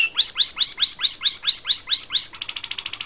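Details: A canary (Serinus canaria) sings a fast run of bright, upswept whistles, about four a second, then breaks into a rapid, finer trill on a high pitch.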